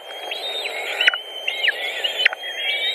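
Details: White-tailed eagle nest in Latvia, June 2019, at feeding time. Short, high whistled notes end in quick downward slurs, about three in three seconds.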